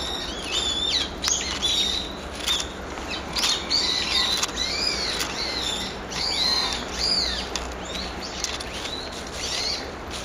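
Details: A brown-eared bulbul's everyday morning calling, 26 November: a long, busy series of harsh, high, arching squeals, rising and falling in pitch and coming in irregular bursts, over continuous faint hiss.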